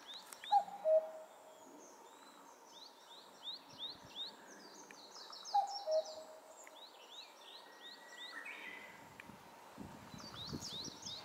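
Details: Common cuckoo on a highland in May 2024, giving its two-note falling cuck-oo call twice, about five seconds apart, while other small birds twitter and chirp at high pitch in the background throughout.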